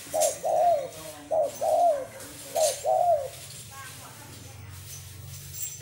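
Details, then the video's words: Spotted dove giving its call, soft mellow coos in paired phrases, several repeated over three seconds, then quiet; faint voices in the background. "Nghe tiếng chim cu gáy hay"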